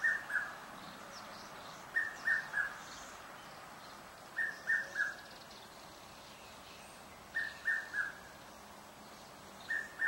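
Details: Red-chested cuckoo calling in a suburban garden in Pretoria, South Africa, clearly audible but hard to spot: clear whistled three-note phrases, falling slightly in pitch, repeated about every two and a half seconds over quiet background.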